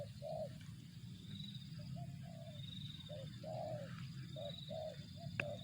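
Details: Spotted dove (tekukur), 'target zong' style: soft coos in short groups, a brief note then a longer burry one, while faint high thin whistles from another bird recur and low background rumble continues.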